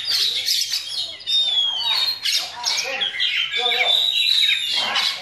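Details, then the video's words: Young Oriental magpie-robin belting out myna-copied phrases: shrill squawks, thin drawn-out whistles and harsh chattering bursts, loud and almost unbroken. "Kacer Bakalan NgePlong Nembak Masteran Jalak"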